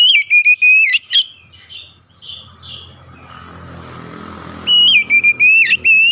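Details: Oriental magpie-robin (kacer) in full 'gacor' song, used as a lure to excite other kacer: loud, clear whistled phrases rising and dipping with sharp upslurs, in two bursts separated by a quieter stretch of broad background rumble.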